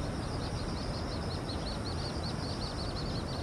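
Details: Little grebe chicks on the Tama River, Japan, give thin, high, rapidly repeated peeps, several per second, over a steady low rumble of wind or water.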